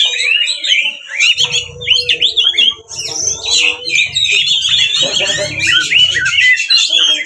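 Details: Kacer, the magpie-robin, delivering a fighting song meant to rile another magpie-robin into answering and spreading its tail: dense stream of sweet slurred whistles, chattering bursts and scratchy notes, over a steady low hum and faint tone.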